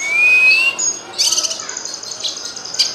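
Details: Cucak kinoy singing: a clear rising whistle opens, followed by rapid high chirps and a sustained thin trill, a recording meant for songbird tutoring.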